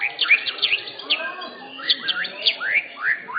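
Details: White-rumped shama of the blorok type, caged at an Indonesian singing contest, giving quick sharp whistled slurs, several sweeping downward, in irregular bursts while other competing birds chatter softly behind.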